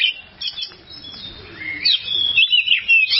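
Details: Kacer, or oriental magpie-robin, singing for a tutor recording: a quieter start, then a sweeping rising whistle and a run of loud, high, warbled notes near the end.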